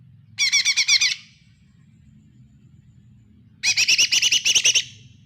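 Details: Lesser green leafbird singing, played as a lure to stir a quiet bird into song: two bursts of fast, repeated, high ringing chirps, roughly eight notes each, separated by a pause of over two seconds.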